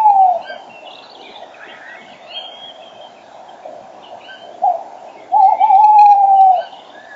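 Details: At 06:34 on 5 March 2013 a male tawny owl sits close to the microphone amid the spring dawn chorus. A hoot tails off, other birds chirp and whistle, then a short note leads into a long quavering hoot.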